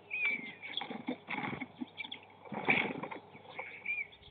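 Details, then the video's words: Starlings squabbling over a nest site during March snow, 2019, with bursts of rough, crackling chatter, clicks and short high whistles, two loud noisy flurries dominating. "Скворцы опять поспорили за жилье"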